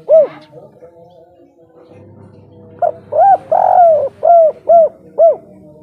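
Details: Spotted dove in local kuk 3 song style: a single coo, a pause of about two seconds, then a full phrase of mellow coos with one long sliding note and three short ones.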